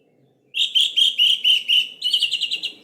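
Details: Provoking song of an orange-headed thrush for silent birds: six loud, buzzy notes at an even pace, then switching into a faster, higher chattering trill.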